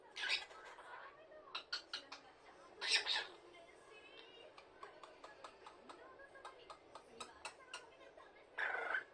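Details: A pet cockatiel talks to itself, mimicking the human words "chū shite kudasai" (kiss me, please) and "kushu kushu" in short, raspy, high-pitched bursts.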